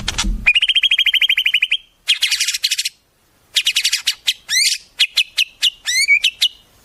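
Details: White-rumped shama song packed with imitations of wild birds, used as tutor material: a rapid buzzy trill, a dry rattling burst, then a run of sharp rising whistled notes and chips after a short pause.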